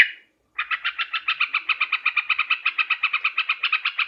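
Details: Sooty-headed bulbul call used to lure birds for catching: a single short note, half a second of silence, then an even, rapid string of chattering notes running to the end.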